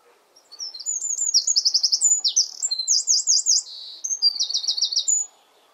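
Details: Eurasian wren singing from one of its favourite perches in a garden, nest somewhere nearby: a loud, rapid, high-pitched outpouring of sharp notes, fast trills and rattling runs, lasting about five seconds without a pause.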